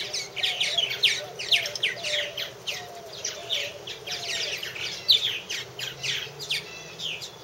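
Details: Several purple martins at nest houses in 2014 chatter continuously, with sharp down-slurred chirps and gurgles coming about twice a second, and a faint lower warble underneath.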